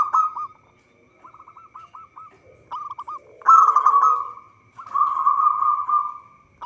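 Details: Local zebra dove in vigorous song, used as a lure when trapping. Short beaded note series alternate with long, loud rolling coos that sweep slightly downward.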